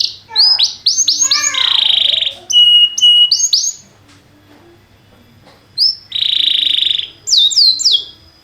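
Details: Song of a canary meant to teach other canaries, timbrado type: bursts of descending whistles and steady buzzy tones, split by a quiet pause of about two seconds before another buzzy roll and high slurred notes.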